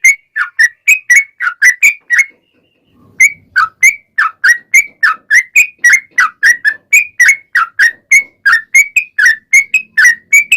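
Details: Sooty-headed bulbul pouring out a long 'ropel' song meant to draw other bulbuls to reply: rapid liquid whistled notes in close succession, a short pause after two seconds, then a continuous run of rising and falling phrases.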